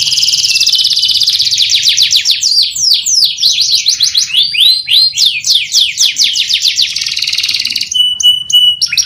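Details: Canary in full, long song: a dense buzzy trill opening the phrase, then rapid chattering downslurred notes and varied twittering, ending in a sustained whistled tone with quick clicks.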